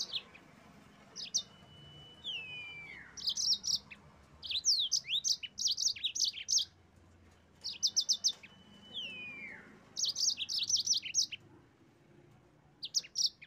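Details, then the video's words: Yellow-fronted canary singing to provoke rivals into song: clusters of sharp, high, rapidly repeated notes broken by short pauses, with occasional descending slurred whistles in between. "suara burung mozambik gacor pandai memancing emosi lawan auto ngerol gacor"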